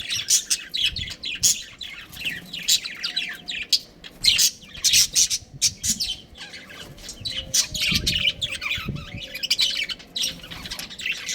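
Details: Budgerigars in a captive colony that includes a breeding pair, chattering continuously with dense, scratchy chirps and squawky notes from many birds at once, barely pausing over the whole stretch.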